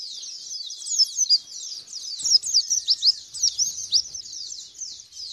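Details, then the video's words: High, busy white-eye twittering from a lure recording meant to trigger a response; rapid downslurred chirps run together, growing louder and more emphatic in the middle. "Pancingan Pleci Biar Ngalas dan Bukpar"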